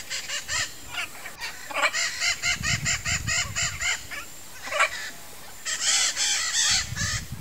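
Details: A nesting pair of blue-and-yellow macaws (Ara ararauna) give harsh, raspy squawks in quick runs of short notes, several bursts over a few seconds, with low rumbling noise underneath.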